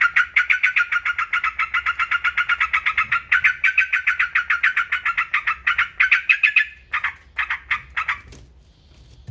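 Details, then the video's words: Yellow-vented bulbul delivering a long, even run of quick raspy notes, then a few slower separate bursts before falling quiet. "TRUCUKAN,, super ISTIMEWA cocok untuk masteran pancingan PERANGSANG GACOR"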